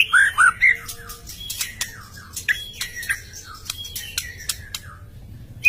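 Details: White-rumped shama opening with loud looped whistles, then softer gliding falling whistles spaced about half a second apart, with sharp clicks in between.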